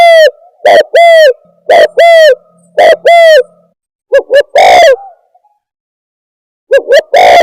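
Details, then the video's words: Spotted dove calling as a trapping lure. Paired hollow coos, a brief note then a drawn-out one, repeat about once a second. Later comes a faster cluster of short notes with one long coo, then a pause and another pair. "Suara Pikat Burung Tekukur"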